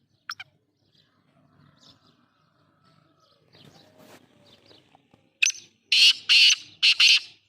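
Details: Black francolin (kala teeter) in Sindh, Pakistan. The call comes after quiet rustling: loud, harsh, grating bursts near the end, one short note followed by three broad raspy blasts in quick succession.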